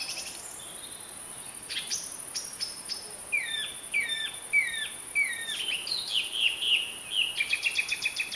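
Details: Song thrush (Turdus philomelos) in song. Sparse sharp notes open the clip, then chains of repeated downward-slurred whistles and twittering phrases build in loudness. A fast stuttering note series closes it, against low steady hiss.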